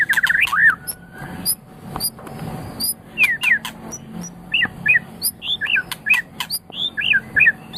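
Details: White-rumped shama song, recorded as tutoring material for pet songbirds: a varied run of loud whistled slurs, rising and falling notes and sharp high clicks, delivered in quick bursts with short pauses.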